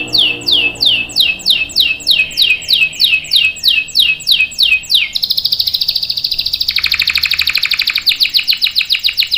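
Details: Canary in long-roll song for training young birds: a run of evenly spaced downslurred chirps, then a continuous rapid buzzy trill that drops slightly in pitch partway through.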